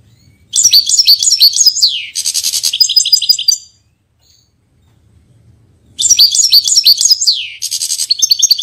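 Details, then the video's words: A Portuguese European goldfinch sings two bursts of high, liquid twittering laced with buzzy trills, each about three seconds long, with a brief silence between them. "Pintassilgo Português"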